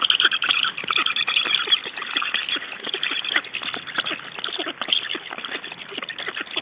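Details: Black storks at an Estonian nest at feeding time, 7 July 2012 at 15:41, give a steady, wheezy, rasping chatter broken by many quick ticks and clicks, with a hissy background throughout.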